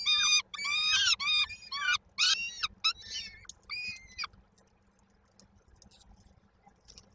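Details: Peregrine falcon chicks in Koszalin, Poland, on 19 May 2022, waiting for the mother with food, give loud harsh screeches for four seconds that then fade to near silence.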